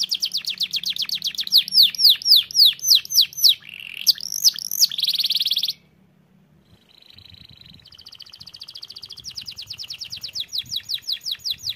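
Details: Canary in vigorous 'gacor' song: loud rapid sweeping notes and buzzy bursts, a brief silence, then a soft trill that gradually swells into a fast, even rattle.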